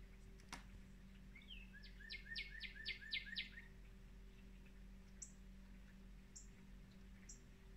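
Northern cardinal sings a quick run of about six loud, down-slurred whistles, followed by a few thin, high chips over steady rain and a low hum.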